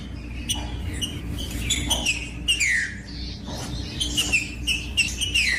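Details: Green-winged saltator singing, meant to encourage reluctant birds of its kind to sing: repeated loud, downward-slurred whistles in quick phrases, mixed with brief clicking sounds and a constant low background hum.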